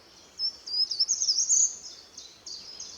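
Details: Short-toed Treecreeper, one of a pair, singing in spring: a thin, very high run of notes lasting just over a second, then fainter high fragments over a soft background hiss.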